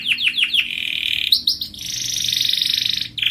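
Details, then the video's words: Canary singing to stimulate other birds to sing: a few rapid falling notes lead into a sustained buzzy trill, brief rising whistles, then a long bright rolling trill. "صوت عصفور الكناري يحفز طيورك على الغناء"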